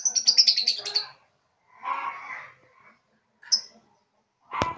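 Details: A three-month-old young lovebird practising ngekek chatter starts with a rapid run of shrill high chirps, then a scratchy chattering phrase, one isolated squeak and a final sharp click.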